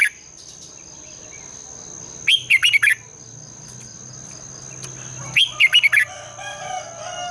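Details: Morning song of a red-whiskered bulbul meant to provoke singing: two short phrases of four or five fluty, bouncing notes about three seconds apart, with a constant high tone and faint hum behind.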